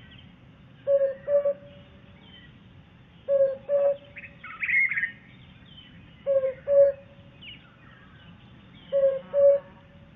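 African cuckoo giving low, hollow paired hoots, both notes at about the same pitch, repeated every two to three seconds; other birds chirp faintly in the background.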